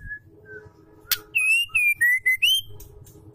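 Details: Female white-rumped shama calling to provoke males: a quick run of five clear, pure whistles, rising and falling slightly, after a single sharp click, over a faint low background hum.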